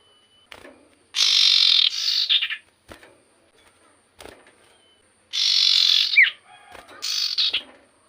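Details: Common iora in vigorous song meant to anger other ioras: three long coarse buzzing bursts with stuttered endings, one carrying a bright falling whistle, separated by short quiet gaps.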